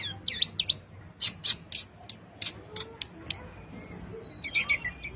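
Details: Sulingan song, a recording of a bird singing sweetly: bright, high, whistled notes and sharp upward chirps in quick uneven bursts. A few thin descending whistles appear near the end, over faint low background rumble.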